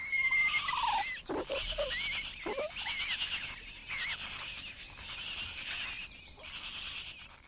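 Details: A male Blue-winged Kookaburra at a nest in Kakadu, far northern Australia, calls to direct its blind hatchling to a meal: harsh, raucous screeching bursts, grating and broken, in irregular bouts with a slurred falling note at the start.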